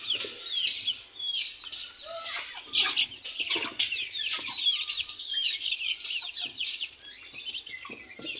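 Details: Many young chicks fighting in a newly mixed group, a continuous chorus of piercing, overlapping peeps and short chirps with occasional wing flutters.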